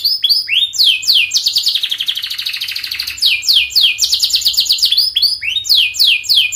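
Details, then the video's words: Dense, fast canary song used to prompt juvenile canaries to sing: quick descending whistled sweeps lead into a long rapid rolling trill, then more series of sharp downward-slurred notes. "KENARI GACOR PANJANG speed Rapat, 99% SUKSES Bikin Kenari NYAUT/Pancingan kenari paud belajar bunyi"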